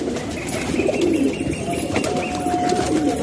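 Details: Domestic pigeons indoors in Pakistan giving low, throaty coos in short wavering bursts, over a constant hum of room noise.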